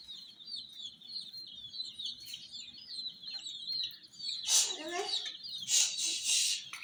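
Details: Chicks peep steadily in high overlapping notes around a miniature jeep, then loud scraping, rattling noise bursts rise over the chirping near the end.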